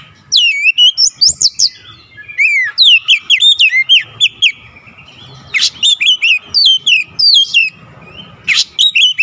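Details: Energetic oriental magpie-robin unloading its learned song material: bursts of rich, sharply slurred whistles and chirps, some rising and some falling, grouped in rapid phrases separated by short pauses, with no other clear sounds.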